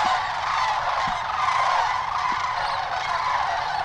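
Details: Sandhill crane flock at the Hiwassee Wildlife Refuge, Birchwood, Tennessee, on January 16, 2013: a loud, unbroken din of many overlapping rolling calls, a few low thumps beneath.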